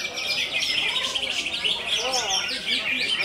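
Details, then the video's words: Greater green leafbird delivering "konslet" song, a nonstop high, scratchy chatter with sweeping chirps, while softer lower arched whistles show through twice. "CUCAK IJO KONSLET"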